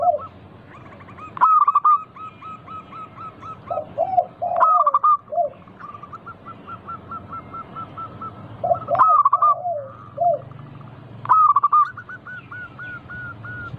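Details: Zebra doves of a local strain in chorus, their song used as a lure. Loud stuttering coo phrases recur several times, each followed by long trains of soft repeated notes, with lower gliding coos from other birds between them.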